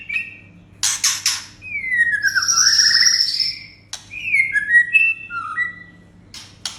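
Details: White-rumped shama song played to raise aggression in captive birds: buzzy bursts, a long descending slurred whistle, a sustained high trill, then short varied whistled phrases over a low steady hum.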